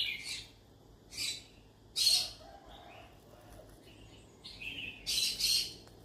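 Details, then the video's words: Yellow-sided conure calling out for company: short buzzy chirps and rasping squawks in separate bursts, with a louder harsh squawk near the middle and a double burst at the end, separated by quiet pauses. "Yellow sided conure sounds : I'm looking for friends to talk to , parrot talking sound."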